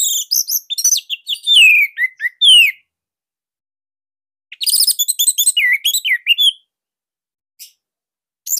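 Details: Bali Orange-headed thrush master song used to prompt other thrushes to sing: rapid chattering notes and rising and falling slurred whistles in two dense phrases, with a brief note near the end.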